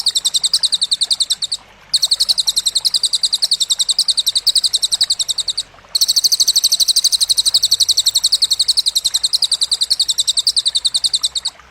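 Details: Sharp cililin material for training competition songbirds, paired in the mix with grasshopper sounds. Fast, high, ringing pulse trains roughly nine per second, broken by two brief pauses, over a faint hiss.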